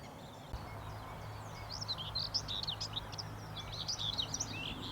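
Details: A Common Whitethroat, doing a little display flight, delivers a quick, scratchy, raucous jumbled warble of high chattering notes over low rumbling background noise.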